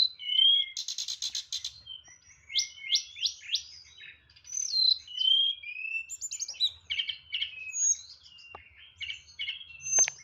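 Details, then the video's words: White-rumped shama performing nyeklek style with complete fill and good rhythm: opening buzzy rattle, then rising whistled slurs, clicks and varied phrases in a continuous flow, faint low background hum. "TLEDEKAN NYEKLEK BONGKAR ISIAN"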